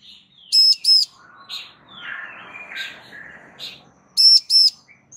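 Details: Bar-winged prinia female giving a call meant to make a male reply. Two quick piercing high notes open and close the passage, and quieter warbling chirps fill the gap between.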